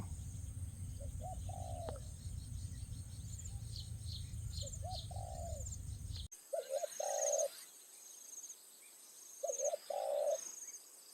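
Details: Decoy spotted dove calling in the evening at a rice field to draw in wild doves. Low cooing phrases come in pairs of short and longer notes several times, with low rumbling noise early on and continuous high insect buzzing.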